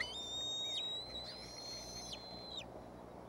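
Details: Bald eagle chicks at the Decorah nest around 5:45 pm on 06-03-2015, waiting for a parent to bring food: long, thin high whistled tones held steady, each ending in a quick downward slur, over a low rumbling background.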